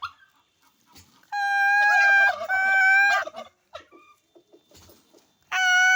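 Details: Turkey calling with loud, tonal, harmonic-rich calls, a long sustained note lasting about two seconds followed by a second burst near the end, with faint scattered noises in the quiet gaps between calls.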